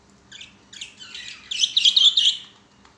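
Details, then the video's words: Captive budgerigars singing while playing on a swing, a busy chattering warble that starts soft and grows louder and denser midway through. "Budgie sounds or budgie singing"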